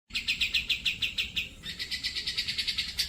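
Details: Grey-cheeked bulbul (cucak jenggot) song, recorded as a training reference for pet birds: a fast run of bright, chirpy high notes repeated about three times a second, shifting to a slightly higher, steadier series halfway through.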